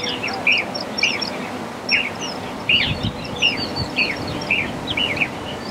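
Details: Black-collared starling repeating a short, squeaky, chattering phrase roughly every half to one second, each with a bright whistled edge, over a low steady hum.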